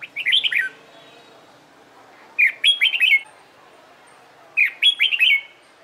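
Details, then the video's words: Competition-trained red-whiskered bulbul singing three short lively phrases of slurred, bouncy whistled notes, each under a second long, separated by roughly two-second pauses. "LUYỆN CHÀO MÀO HÓT ĐẤU/ CHÀO MÀO MÚA HÓT CHÉ VUI NHỘN"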